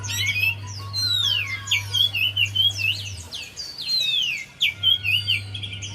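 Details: Javan white-eye song meant to prompt a silent bird into song. Loud downslurred whistles alternate with bursts of fast twisting notes in several phrases over about six seconds, with an intermittent low hum.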